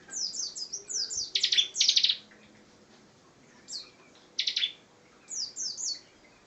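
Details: Bar-winged prinia, a lively singing bird, giving bursts of high descending chirps in quick runs, mixed with short buzzy rattling trills, phrases separated by brief pauses.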